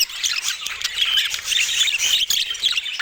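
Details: Several pet budgerigars warbling together in a bright, continuous stream of squeaky chirps and quick rising and falling trills that fill the whole stretch.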